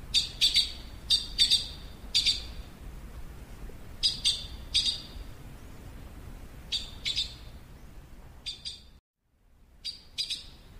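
A yellow-billed blue magpie gives sharp, high, scratchy notes in quick pairs and triplets, each burst about a second apart, with faint background hiss.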